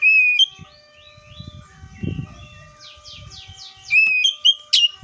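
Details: Oriental magpie-robin whistles at the start, soft trills and a faint low rumble in the middle, then loud clear whistled notes and a sharp chip at the end.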